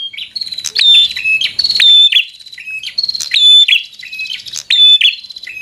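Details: Bar-winged prinia giving energetic fighter song to make a rival angry: continuous loud, metallic chirps and sharp ringing notes in rapid, uneven bursts.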